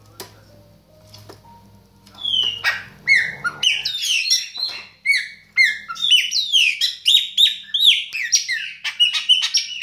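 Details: Chopi blackbird singing. A low hum gives way to a lively, fast run of clear whistled notes, mostly high-pitched, with sharp up- and down-slurs and repeated chattering phrases.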